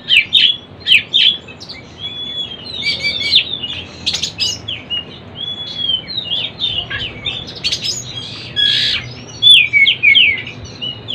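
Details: Oriental magpie-robin learning the ngeplong style: a few sharp opening chirps, then rambling soft whistles and twitters, with loud slurred notes near the end against low background noise.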